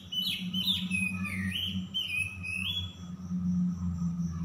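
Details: Oriental magpie-robin song used as a lure to get stressed, silent birds singing: high whistled phrases sliding up and down, some rapid twittering, over a steady low hum throughout.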